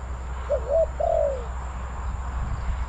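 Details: Spotted dove used as a trapping decoy at Bang Li, calling wild birds: a single phrase of two quick rising notes and a long, gently falling coo, with low rumbling background.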